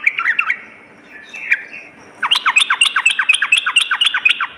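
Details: Sooty-headed bulbul lure song for morning and night. A few looping notes and a quiet pause, then a steady, fast series of downward-swept bright chirps, roughly two per second or more.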